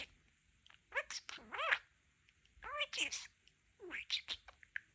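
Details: Male pet budgie imitating human speech, combining the learned phrases "Oh my goodness" and "pretty chicken": three bursts of squeaky, scratchy speech-like chatter with rising and falling warbled syllables, recorded in a quiet room.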